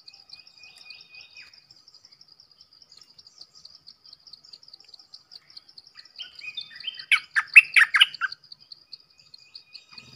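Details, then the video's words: Red-whiskered bulbul singing: one brief burst of loud, rich, warbled notes about two seconds long, late in the recording, over a steady high insect trill that runs throughout. "เสียงนกดอกแตงEp.105 Birds sounds"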